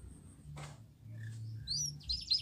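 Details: Canary; training song; teaching young canaries to sing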